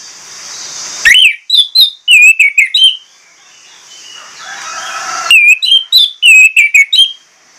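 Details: Orange-headed thrush in full song, delivering two long phrases of seven or eight ringing, whistled notes, some rising and some falling, with a gap of steady hiss between them.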